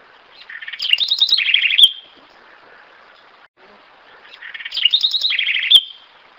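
A house wren sings two bright, bubbly phrases of quick trills and chatters, each ending in a sharp high note, with a pause between them.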